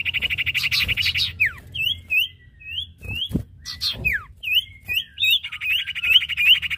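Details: A Common Iora pair, male and female, singing vigorously: a buzzy trill, then spaced curled whistles and sweeping slurs, ending in another trill with bright upslurred notes.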